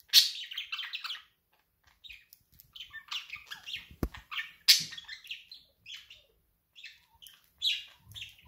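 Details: Budgerigar laughing, a cheerful pet bird giving scattered bursts of high rasping chirps and warbles, with gaps of silence and one sharp click midway.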